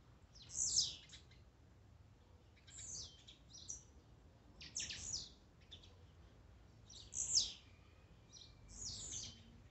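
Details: Series of high, fizzing Blue-black grassquit notes, each sliding down, repeated roughly every two seconds with softer echo-like fragments between; warm-up song meant to excite a kept bird.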